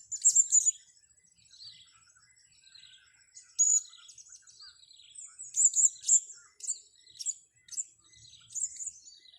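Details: Blue-crowned hanging parrot during a luring session giving piercing high chirps in short clusters, with softer twittering and a thin continuous high whine in between.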